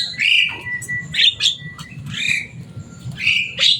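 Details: Javan myna, a loud pet bird able to copy human words, uttering a few strident squawks and a long level whistle between them, over a low background hum.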